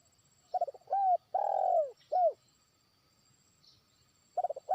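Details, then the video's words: A trained lure spotted dove begins calling to a far-off rival. It gives one full phrase: rapid stuttered notes, a short coo, a long drawn-out arched coo and a brief final coo. The next phrase begins at the end. "pikat terkukur) burung ajaran sudah mulai manggil lawan jauh"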